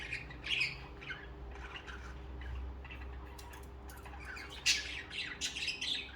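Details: Budgerigars chirping in a group, scattered scratchy twitters and squeaks, then a burst of louder sharp chatter near the end, with a steady low hum in the background.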